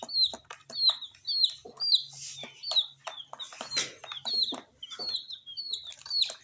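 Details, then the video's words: Baby chickens, dyed in colours, eating spicy Sun Poppers snacks: a regular sequence of piercing downslurred peeps roughly every half second, alongside sharp pecking taps and rustles. ""Chicks Chirping" sounds"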